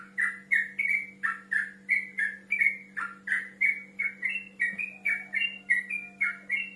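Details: Yellow-vented bulbul male calling a rival: a fast run of bubbly, slurred whistled notes, about three per second, alternately rising and falling, over a steady low electrical hum.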